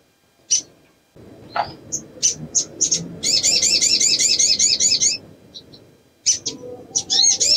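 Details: Female crimson sunbird in breeding condition calling for males: scattered high chips and a sliding whistle, then a two-second rapid series of wavy buzzy notes, more chips, and the trill resuming against low background noise.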